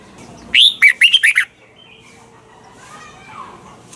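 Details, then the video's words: Red-whiskered bulbul singing a double-note tutor song for training caged bulbuls; a single phrase of a rising whistle followed by four fast, throaty, warbled notes, then quiet. "chào mào hót âm kép già rừng hay tuyệt!"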